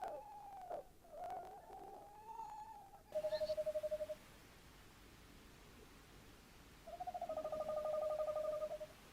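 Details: Tawny owl on 11 January 2026: one steady, even hoot about a second long, a pause, then a long quavering tremolo hoot with rapid pulses, over faint background hiss.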